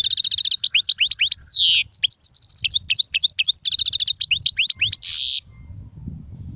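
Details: Continuous goldfinch song of rapid liquid twitters, rattling trills and a sweeping downslurred whistle, running for over five seconds before stopping; low rumble in the background.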